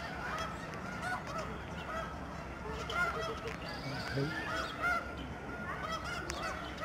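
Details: Huge flocks of snow geese flying and swirling down at George C. Reifel Migratory Bird Sanctuary, Alaksen National Wildlife Area, Fraser River estuary, Delta, BC, Canada, on 24 March 2011; a dense chorus of overlapping nasal honks, with clearer single honks about every two seconds.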